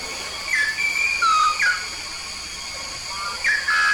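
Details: Yellow-faced myna originating from Papua giving loud whistled phrases, short notes dropping or sliding in pitch, in bursts with a brief pause midway, against a steady background hiss.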